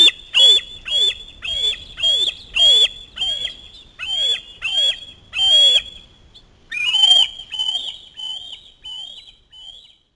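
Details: Osprey chick screaming as a parent delivers a fish at the nest: a rapid series of shrill, piercing whistled screams, each with a sharp falling tail, about two per second, then a burst of faster, thinner calls.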